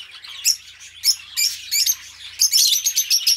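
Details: Pet budgerigars give bright, high chirps spaced about half a second apart, ending in a quick run of scratchy warbled notes.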